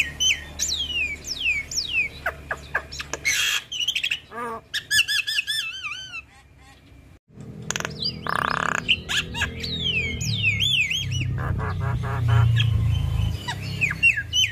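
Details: A well-kept female Javan myna chatters continuously in full-isian song, mixing looping whistles, rapid clicks, trills and harsh squawks with a brief pause midway; constant low hum behind.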